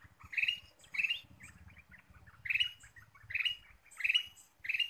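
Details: Ruby-throated bulbul song for luring birds: bubbly, ringing notes in short bursts, interspersed with softer chatter, over a steady low rumbling noise.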